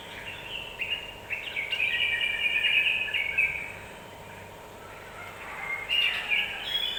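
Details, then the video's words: Song of a yellow-vented bulbul, used as a lure to excite other birds quickly: a burst of jumbled, gurgling notes, a quieter pause, then another lively chattering phrase over a constant hiss. "Suara pancingan burung trucukan agar cepat emosi"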